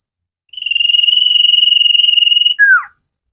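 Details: Common iora singing vigorously in a cage-bird training recording: one sustained, finely trilled whistle held on a steady pitch for about two seconds, then closed by a short, loud, falling slurred note.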